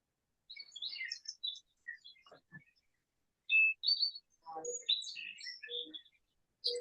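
A Song Sparrow sings a lively, varied phrase of crisp chips, buzzy trills and bright whistled notes, mostly high-pitched, with a few lower clipped notes between.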